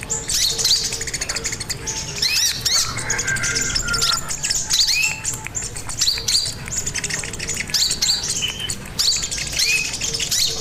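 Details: Crimson sunbird singing actively, used as a lure and master for training birds: long run of high chirps and upslurred whistles, a lower harsh buzzy phrase early on, and faint low dashed humming.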